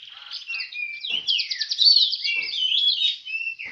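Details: Oriental magpie-robin singing at a songbird contest in Semende, Perapau: a loud, continuous, varied warble of rapid whistles, buzzy trills and sweeping slurred notes, with faint low knocks underneath.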